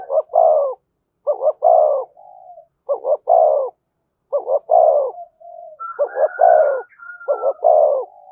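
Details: Spotted dove cooing, thổ voice style with thúc and kèm: six phrases about every 1.3 seconds, each two clipped notes and then a long, slightly falling coo. Soft short hoots lie between them, and a thin higher call overlaps near the end.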